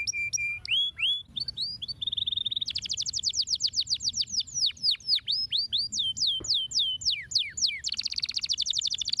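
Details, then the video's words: Stimulating canary song aimed at silent canaries: level whistled notes and rising slurs, a buzzy trill, then quick sweeping downward notes and a dense high rattle at the end. "Estimulando o som de um canário silencioso!"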